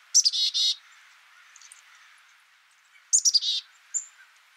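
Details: Two bursts from a black-capped chickadee, each a couple of quick high notes running into harsh buzzy notes, about three seconds apart, followed by a single thin whistled note.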